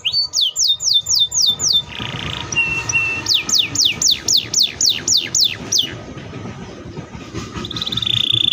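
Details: Canary song of fast repeated falling whistled sweeps and flat whistles, with a buzzy trill at the end, heard over steady low rumbling background noise.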